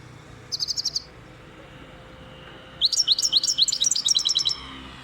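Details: European goldfinch, described as wild, sings a short rattle of five rapid high notes, pauses, then delivers a longer, tumbling series of bright, liquid twitters and trills for nearly two seconds against soft background noise.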